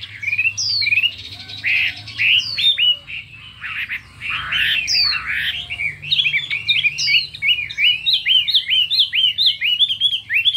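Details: Hwamei singing in a contest, many-voiced and intense: loud downslurred whistles and rich warbled passages, ending in a fast run of repeated hooked notes.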